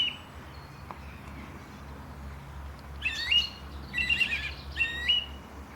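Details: Morning bird chirping at Langley Park, Durham: a quiet stretch, then three bursts of bright, quickly repeated chirps with a steady low hum underneath.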